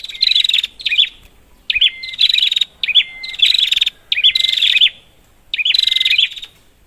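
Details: Prinia call played as a lure to get silent prinias calling: six bursts of buzzy, rattling chatter with sharp upslurred notes and a short flat whistle, each burst about half a second to a second long, spaced by short gaps.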